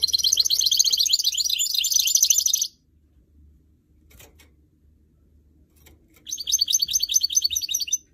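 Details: Caged goldfinch mule, a canary-goldfinch hybrid, delivers a dense, high-pitched warbling twitter for nearly three seconds, falls silent apart from faint clicks, then resumes with rapid trilled chirps.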